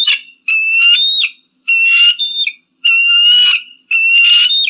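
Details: Loud eagle screams, played to keep pigeons and crows away: long piercing ringing cries with a harsh edge, four in a row, each about a second long and separated by brief pauses.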